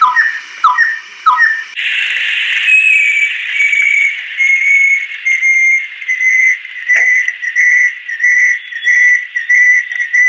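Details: Adult female banded kingfisher giving a few quick slurred notes and a drawn-out tone, then a long steady run of short, clear whistles repeated about twice per second.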